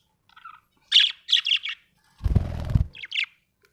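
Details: Happy budgerigar giving a few short scratchy chirps and warbles, broken by a loud low rumbling thud lasting under a second.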